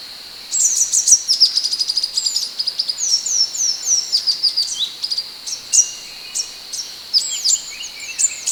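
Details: Scarlet minivet (sepah hutan) singing busily as a training model for other birds: a dense, rapid stream of very high, thin chirps and downslurred ticks, several per second, continuing almost without pause.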